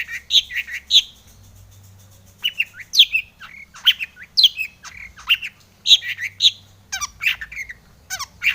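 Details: Long-tailed shrike singing a lure phrase to trigger other shrikes: varied bursts of harsh squawks mixed with higher whistled notes, in uneven clusters separated by short pauses, in a quiet setting.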